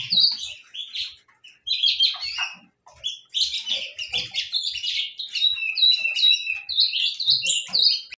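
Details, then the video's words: Several saffron finches singing together: dense, overlapping bright chirps and short trilled phrases at high pitch, running almost without a break, with brief pauses near the second and third seconds, and faint low thumps underneath. "gorriones pecho amarillo cantando"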